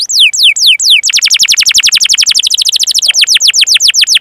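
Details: Singing canary, master recording for training other canaries: loud descending swooped notes give way to a rapid, steady roll of repeated sliding notes that changes speed and pitch partway through.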